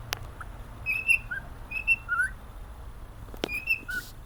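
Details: A happy pet cockatiel, male, whistles a tune of short pure notes alternating high and slightly lower, a few dipping then rising, spaced in loose phrases over a quiet room hum with one sharp tap.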